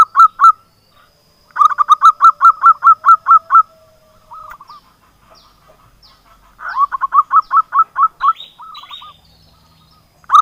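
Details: Local zebra dove song used as a lure for silent doves: rapid runs of rolling cooing notes, about ten per burst, then softer trailing coos, with quiet gaps and a faint higher chirp between bursts.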